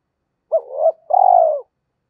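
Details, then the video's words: Spotted dove calling as a lure to set other doves cooing: a short dipping note slurring into a second, then a brief pause and a long trilled coo that slowly falls. "Tiếng chim cu gáy kích bổi hiệu quả mỗi ngày mở là gáy"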